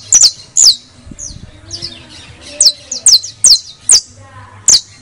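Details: Pet criollo canary giving bright descending whistled chips with softer warbled notes between them, spaced unevenly, plus faint low background murmur.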